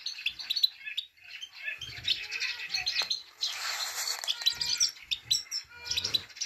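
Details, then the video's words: Female Himalayan goldfinch calling to excite males ('pit pit tak'): high twittering chirps with some soft low thuds and rustling in the background. "پیت پیت تک سایره ماده برای تحریک نر سایره"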